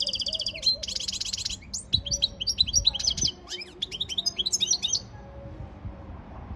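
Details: A European goldfinch in training sings a buzzy rattling trill followed by a long run of quick liquid twitters and chirps, then falls silent; faint low knocks behind.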